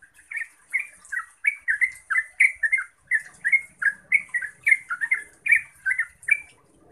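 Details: Yellow-vented bulbul song used to get other bulbuls to reply and sing: a steady run of short bubbly, slurred notes, roughly three each second, each chirp up-and-down in pitch, clear against a quiet background.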